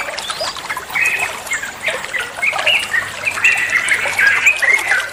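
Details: Olive-winged bulbul song used as training material for other songbirds: a busy stream of short bubbly whistled notes and chatters, tumbling and rapidly repeated, with a liquid trickling quality throughout.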